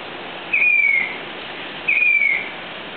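Two plaintive, high whistled notes from a Grey-bellied cuckoo, each drawn out and gently falling, spaced over a second apart against a steady hiss.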